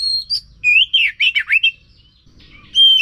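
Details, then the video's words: Oriental magpie-robin song to rouse a silent bird: a long whistle, then a loud series of swooping, scratchy notes, a pause, and another clear whistle. "Pancingan Ampuh untuk Kacer yang Macet Bunyi"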